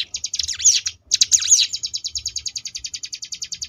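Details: Ciblek gunung, the Sunda bush warbler, in ngebrem variation song for training contest birds: two bursts of looping swept notes, then a long, even, fast buzzy trill of repeated pulses.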